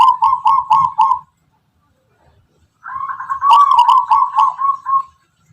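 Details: Local wild zebra dove of the Tuban strain, whose rhythmic, melodic song is distinctive: two bursts of rapid, bubbling coos around one pitch, each about a second long, separated by a short silence.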